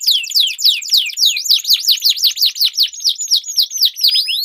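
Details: Two canaries duelling in long-rolling song, a lure for training contest birds: steady series of loud downslurred whistles roughly twice per second, higher notes overlaid.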